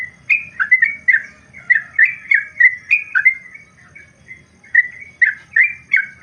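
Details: Trucukan, the yellow-vented bulbul, singing a long ropel phrase as a tutor recording: a steady chain of melodious whistled notes, some dipping then rising, with a brief lull before the run resumes; soft low hum behind.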